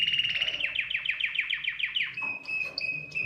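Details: Singing canary, played to stimulate other birds into song: a rapid series of repeated downslurred notes, roughly three to four per second, ending in steady high whistled tones.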